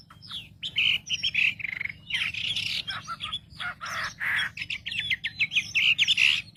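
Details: Wambi lure song to stir other wambi birds: a busy mix of chirps, harsh notes and whistles, with a run of quick, evenly spaced notes toward the end.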